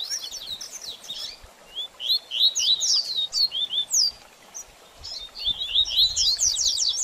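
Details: Rapid baderninha song of a double-collared seedeater, meant to excite a bird after the feather moult: high, sharp chattering notes in loud bursts, a short silence around the fifth second, then another fast twittering run.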